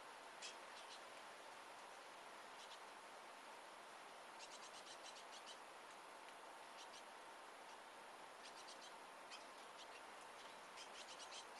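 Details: A great tit family feeding, recorded through a half-open door. The birds give thin, very high calls in quick clusters of short notes every second or two over a steady background hiss.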